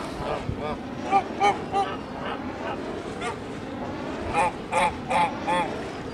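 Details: Kholmogory geese on a farm, 1 March 2019, giving nasal honks in short bursts over a steady background rumble, with louder clustered honks near the end.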